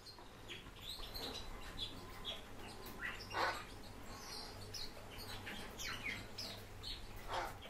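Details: Warbling white-eye, Zosterops japonicus, a kept bird, giving short high chirps scattered through the stretch, with a few louder broadband notes and a steady low hum underneath.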